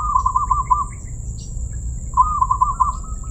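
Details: Crystal-voiced zebra dove singing two bubbling trilled coo phrases, each about a second of quick beaded notes at a level pitch, separated by a short pause, with a constant faint whine behind.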